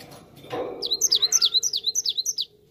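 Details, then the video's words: High, rhythmic song of a cinereous tit, used as a lure that birds answer: after a low thud, quick paired notes sweep downward, about three each second, in a tight run lasting under two seconds. "Gelatik batu langsung nyaut dengar ini"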